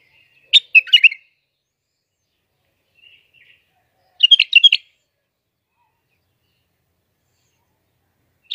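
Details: Iraqi bulbul song: two rapid, chattering whistled phrases separated by a long quiet gap, with a few soft notes in between.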